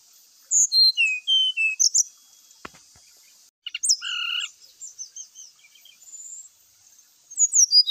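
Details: Brown-chested jungle flycatcher lure song that provokes other birds to fight: sliding high whistles, a pause, a buzzy doubled note, soft twittering, then a fresh run of high slurs.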